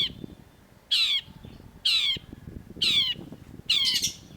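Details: Long-tailed shrike, or cendet, in a sharp-voiced master recording for training cage birds: four harsh, rasping, downward-slurred notes about once a second over faint low background rumble.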